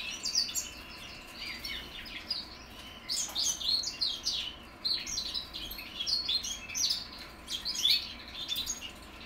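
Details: Juvenile goldfinch mules hatched in 2021 learning to sing: repeated bursts of bright, jumbled twittering with high squeaky notes, coming in phrases roughly every second with short gaps, against a quiet hum.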